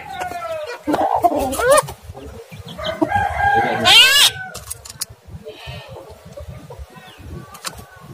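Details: A starling, played as a lure to rouse lazy or quiet starlings, sings a varied medley of sliding whistles, harsh chattering bursts and rooster-like crowing phrases, loud and irregular, over a faint low rumble.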